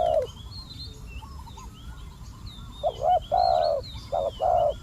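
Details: Spotted dove kept as a decoy to attract wild doves: one brief coo, a quiet gap with distant bird chirps, then a run of four loud, rounded coos near the end.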